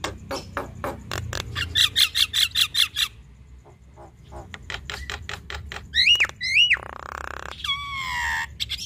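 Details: Javan myna male and female duetting, opening with a series of evenly spaced sharp ticking notes, a quiet gap, then looping whistled slurs and a long nasal wheeze.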